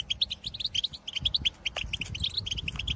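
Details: Several wild European goldfinches in the countryside give calls and chatter, used to stimulate caged goldfinches to sing: quick, tinkling notes in a busy overlapping stream of bright high chirps, over a low background rumble.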